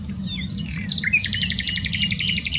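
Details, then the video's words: Near Dohr in the German Eifel a nightingale gives a few slurred whistles, then launches into a loud, rapid chain of identical pulsed notes, roughly ten per second, sustained to the end over a faint low hum. "Nightingale singing. Nachtigall singt."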